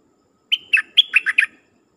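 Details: Caged dok taeng bird used as a decoy to lure wild birds, singing a brief phrase of six clear whistled notes that start with a drawn-out high note, then drop into quick lower slurred notes, on a quiet background.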